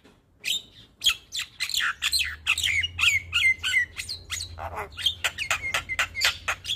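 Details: Black-winged starling, white-eyed champion songbird, singing a morning tutor recording packed with varied phrases: rapid sharp chips and squawks mixed with slurred whistles and a few drawn-out whistled notes, with a low hum underneath.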